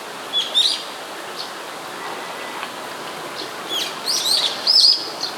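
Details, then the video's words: Brown-eared bulbul calling fairly close by in Sumida, Tokyo, Japan, on 21 May 2017, recorded with a camera's built-in microphone; short shrill, sliding high squeals come in scattered bursts over a soft hiss of background noise. "イケメン ヒヨドリの鳴き声"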